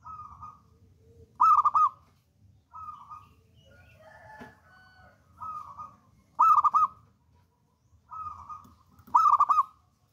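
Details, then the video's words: Local wild zebra dove, a brave and eager singer used for training and trapping lures. Repeated cooing phrases, each soft coo rising into a loud rippling trill every few seconds, with a brief muffled disturbance midway. "PERKUTUT LOKAL ALAM GACOR"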